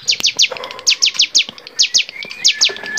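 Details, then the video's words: Training recording of a bar-winged prinia in lively varied song: high, sharp descending notes in short groups of two or three, separated by brief pauses, with a thin level whistle near the end. "masteran cigun gacor variasi"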